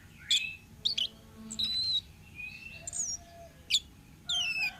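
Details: Orange-headed thrush, a wild bird, singing short varied whistled phrases: rising and falling slurred notes and sharp chirps spaced by brief pauses, over low background noise.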